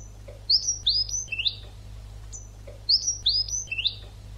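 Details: Goldfinch song for training birds, a twice-repeated phrase of a high thin note followed by three descending, slurred twitters; constant low hum in the background.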